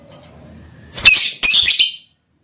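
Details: Lovebird calling a female: two harsh, loud, buzzy screeches in close succession, each about half a second long, after a soft murmur of background noise.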